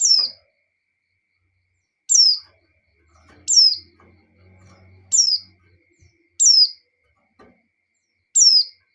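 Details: Female white-eye in breeding condition calling to the male: six sharp, high, downward-sliding chirps, each under half a second, spaced about one and a half seconds apart, with a faint low hum in between.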